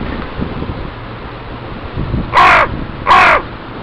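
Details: Young crows of a family, back from a bachelor flock and patrolling their breeding territory, beg reluctant parents for food: two loud, harsh caws about three quarters of a second apart, each sliding downward, after faint background rustle.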